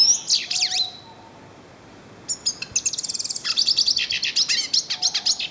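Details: Yellow-faced siskin singing in the wild in northeastern Brazil: rapid high twittering phrases with sweeping notes, then a fast run of repeated chips and buzzy trills; a few soft lower whistles from another bird.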